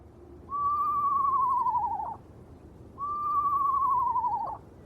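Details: An Eastern screech owl perched on a tent by a river on a moonlit night, calling for about 20 minutes with calls echoing across the water, gives two long, faintly quavering whistles, each sliding gently downward and ending in a brief wavering dip, about two and a half seconds apart.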